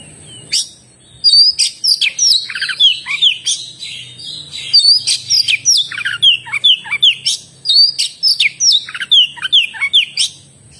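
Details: Oriental magpie-robin (kacer) in full song, a rapid stream of varied whistled notes and sharp downslurred chirps, repeated in dense bursts with brief pauses, sweeping from high thin notes to lower rich phrases.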